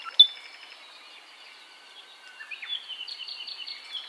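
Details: ʻApapane (Himatione sanguinea), a native Hawaiian honeycreeper, sings: a sharp opening note, a thin drawn-out whistle with overlapping high tones, then a quick chattering run of bright notes, about eight per second.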